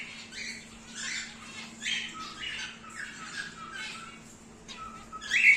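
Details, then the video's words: Breeding pair of wild-type grey cockatiels, kept birds, giving harsh scratchy squawks in short bursts about every second, some with a rising pitch, over a steady low electrical hum. "Wild-type Grey Pair"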